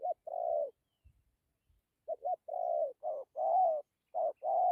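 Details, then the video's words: Spotted dove delivering dặm kèm gù cooing: one phrase, a long pause with faint taps, then a run of stuttered hoots and long wavering coos in quick succession. "Thổ tốt tiếng gù tốt dặm kèm gù"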